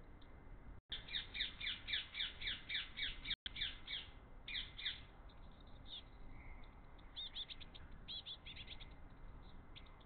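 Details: Three hungry Eurasian blue tit chicks beg eagerly as their father tries to feed them mini-mealworms. Rapid high chirps repeat about four times a second in a steady burst, then break into scattered, shorter squeaky calls over a low background hum.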